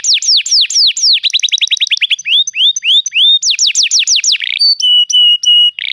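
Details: Canary song meant to make a silent canary sing: fast falling whistles, a tight rapid trill, upward-sweeping notes, then a bright downward series ending in steady flat tones.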